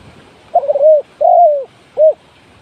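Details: Spotted dove used as a decoy for trapping, giving three low cooing notes: a wavering coo, a longer sliding croo, then a short final coo, against a faint background hiss.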